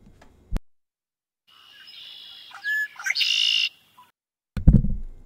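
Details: A Red-winged Blackbird gives its attention-catching "I'm over here" call: a few clear opening notes, then a harsh, buzzy trill lasting about a second, with brief clicks and thumps before and after.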